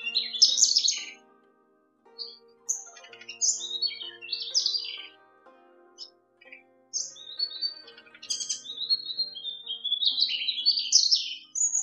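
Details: Tiểu lửa bird calls used as a lure for trapping: bursts of high, sharp chirps and short twittering phrases, irregular with brief pauses, over a faint steady low electronic hum.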